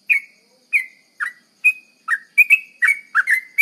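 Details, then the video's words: 'Garuda' style lure song of a sooty-headed bulbul: spaced, clear chirps that speed up toward the end into a tumbling run of slurred, rising and falling notes. "Pancingan trucuk garuda ropel,pancingan trucuk cepat garuda"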